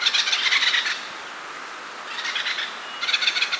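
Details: Acorn woodpecker calling: harsh, rapidly pulsed chattering bursts, the first about a second long, then a softer and a louder burst after short pauses, with quiet background between.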